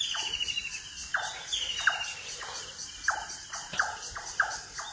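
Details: Birds calling at foggy dawn in Manikganj, Bangladesh: loud, harsh downward strokes repeated about every second, with drawn-out whistled notes running above them and a steady insect hiss.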